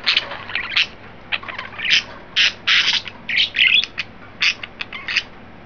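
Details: Three pet budgerigars, green, yellow and white, excited and playful indoors; rapid bursts of bright chattering chirps and squawks, broken by short pauses, steady low hum beneath.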